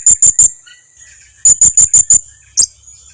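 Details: Lure call of the blue-crowned hanging parrot to prompt replies: a burst of three very high thin chips, a short gap, then five more in quick even succession and one final squeak.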